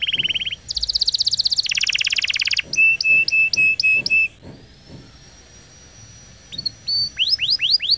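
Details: Training song of a pet canary, played to coax young canaries into twittering. Dense rolling trills shift pitch, then a row of clipped whistles, a quiet pause of about two seconds, and finally falling whistled sweeps.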